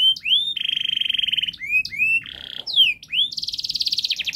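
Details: Domestic canary in rapid gacor song, a training model for young canaries: upward-curving whistled notes break up long, even buzzy trills of about twenty notes per second, with a brief harsh rasp midway.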